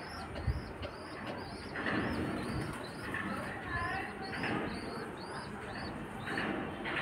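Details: Baby pigeons pecking at their mother to be fed give rapid, thin, high squeaks about twice a second, steady throughout, over broad rumbling background noise.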